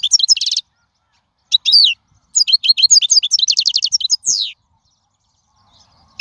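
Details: European goldfinch in the wild singing, used for teaching chicks: a bright twittering burst, a short slurred phrase, then a long run of rapid chattering notes and a final buzzy falling note.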